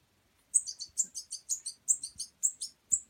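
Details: European goldfinch fledgling being hand-fed at a wild bird rescue, uttering a quick run of high, thin, evenly spaced chirps after a short silence, some notes doubled, with soft low thumps.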